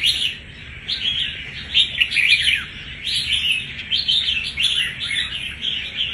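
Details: Red-whiskered bulbul caught from the wild one month earlier, showing a tough, combative character; strong bursts of chattering, swooping whistled phrases separated by brief quieter moments, repeated several times, with a faint continuous background hum.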